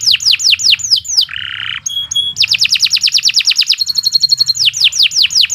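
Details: Canary in long, unbroken song suited for tutoring other birds: rapid falling whistles, a low buzzy roll, brief ringing tones, then fast trills and a closing run of falling whistled sweeps.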